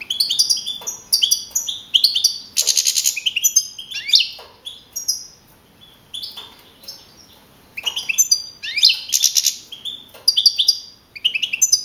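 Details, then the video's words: Contest-winning young male European goldfinch of wild type from a 2012 singing contest in Navalcarnero, Madrid region, Spain. Dense high twittering and tinkling phrases, interrupted by raspy buzzes and brief pauses. "JILGUERO CAMPERO CAMPEON 2012"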